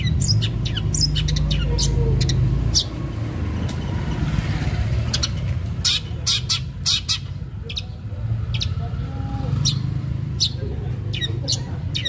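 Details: Long-tailed shrike delivering aggressive, lure-style song to set other shrikes singing; quick harsh chips and rasps in uneven runs, with low engine-like rumble in the background.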